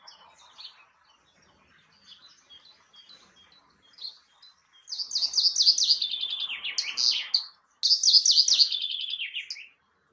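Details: Common chaffinch sings two loud phrases in quick succession. Each is a rapid run of notes falling steadily in pitch and ending in a brief flourish. Faint, scattered chirps come before them.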